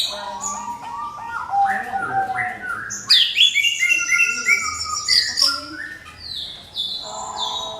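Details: Singing orange-headed thrush producing a lure song to provoke others to sing: stepped whistled phrases, then a loud burst of high sweeping and rolling notes and long bright trills.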